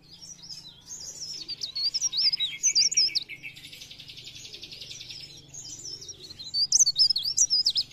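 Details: Sunda warbler singing blereng gacor style, 'pre pare', as a singing lure: high, twisting whistled notes break into a sustained buzzy, rattling trill, then more sharp warbled phrases.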